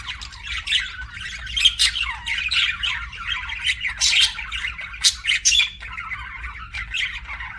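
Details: Budgerigars chirping and warbling, a murmuring stream of scratchy notes broken by occasional sharp whistled squeaks and higher squawks.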